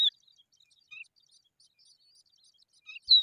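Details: Eurasian skylark babies sitting in the sun: a sharp high chirp opens, followed by quiet scattered twitters and a lower short note, then a loud falling chirp closes.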